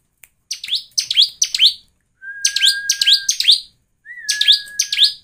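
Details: Bar-winged prinia lure song used to make other prinias sing: rapid bursts of sharp, high chirps with descending sweeps, in three clusters, overlaid by a steady thin whistled tone in the middle and final bursts.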